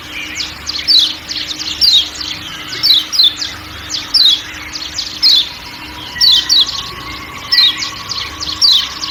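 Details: 'Ciak ciak' calls of the kecial kuning white-eye from Lombok against forest sounds: a long series of thin, high, falling chirps, often paired, with faint background buzzing and a low drone.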